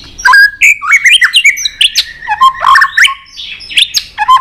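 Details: White-rumped shama singing a long-strand song with many voices, flicking its tail on a perch: rapid run of varied whistled notes, sliding slurs and sharp chips, rising and falling, with barely a pause between phrases.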